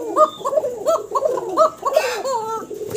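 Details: Breeding pair of domestic Bashiraj Kokah pigeons, male on the right and female on the left, the female close to laying eggs, calling intensely with strong voices: a rapid series of rolling, bubbling coos repeated about every third of a second, with a man's voice briefly.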